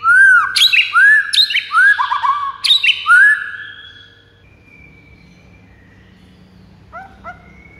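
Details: White-rumped shama song used to provoke rival birds into singing: a run of loud rising whistled phrases with bright upper overtones, repeated roughly every half second, then a quieter thin whistle and a short trill near the end.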